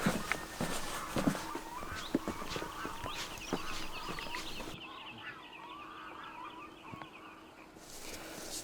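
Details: Several red-throated loons in the Swedish wilderness on a June evening give eerie, rapid, wavering, rhythmic calls in overlapping rolling phrases, with a few knocks and handling sounds near the start.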